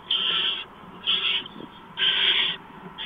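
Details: Barn owl nest at 4:26 a.m. in March as a mouse arrives; three long rasping hisses of about half a second each, roughly one per second, over steady background hiss.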